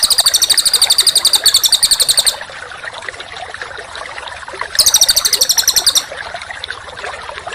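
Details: Songbird song used as masteran training material for contest birds: two bursts of very high, fast metallic rattling, each a second or two long, separated by quieter hiss.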